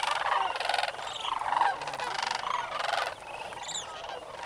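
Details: Early-morning flock of sandhill cranes at Bosque del Apache NWR's North Crane Pool, 11-27-09, a massed chorus of rolling trumpet calls in surging bursts, with a higher thin call near the end.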